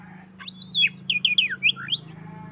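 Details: Oriental magpie-robin answering a rival: a run of about seven descending swooping whistles over a steady low mechanical hum.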